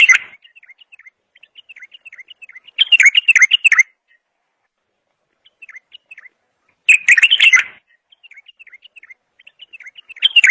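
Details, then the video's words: Bulbul singing in loud, rich warbled bursts of about a second, separated by long runs of soft, quick, chirpy notes and brief silences. "اجمل صوت بلبل"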